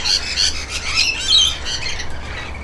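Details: Rainbow lorikeet bathing, giving a quick string of shrill, buzzy squawks with piercing whistled edges, continuous and close, over faint low background noise.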